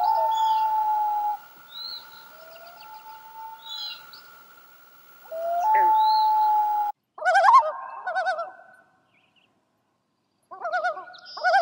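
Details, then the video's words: Loon calls in sequence: long steady wailing tones first, then rapid wavering tremolo bursts that quaver up and down, separated by short silences. "Loon Vocalizations"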